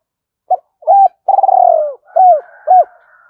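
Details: Spotted dove (Spilopelia chinensis) cooing, used as a decoy call to draw other doves: a short coo, a rising coo, a long rolling burry coo, then two soft arched coos, nothing else heard.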